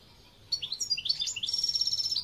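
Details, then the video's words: Goldfinch song starting with scattered sharp twitters and sliding into a fast, steady trill of repeated bright notes, roughly a dozen per second, continuing to the end. "Chant Chardonneret"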